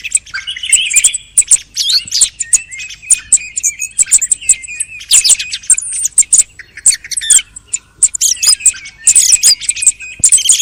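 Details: End-of-hunting-season thrush singing: a long, busy stream of high squeaky chirps, thin whistles and clicking notes, rising and falling in loudness, with brief pauses between dense bursts.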